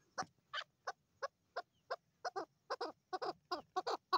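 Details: Female Chukar partridge giving spaced, harsh chuck notes, about three a second, with a faint low hum underneath.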